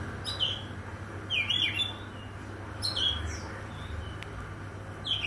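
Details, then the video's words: Oriental magpie-robin singing in the morning: short bright whistled phrases with sharp high chips, delivered in bursts about one and a half seconds apart over a steady low hum. "KICAU KACER DI PAGI HARI"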